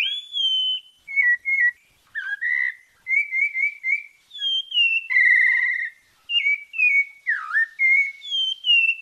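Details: A sabiá parda from Bahia, Brazil, sings the "santa fé" song: a rich, melodious run of clear whistled phrases, mid to high pitched, each slurred note rising or falling, with brief pauses between phrases.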